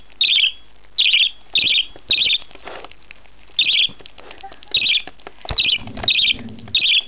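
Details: Budgerigar chick one month old begging while being fed: grating, buzzy squawks in irregular bursts, with faint soft rustling and handling noise between them.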